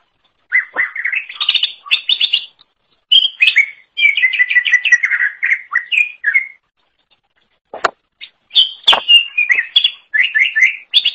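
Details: Energetic Greater green leafbird song used as a training model for songbirds: long bursts of quick whistled, warbling notes with short gaps, two sharp clicks near eight and nine seconds, then further rapid phrases.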